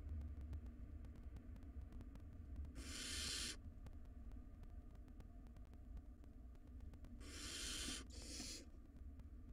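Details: In a nest box, wild barn owl chicks contesting a very large rodent produce one breathy screech, a pause of several seconds with scuffling clicks and hum, then two quick screeches close together.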